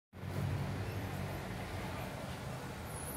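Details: Steady low rumble of passing road traffic with engine hum and no animal voice.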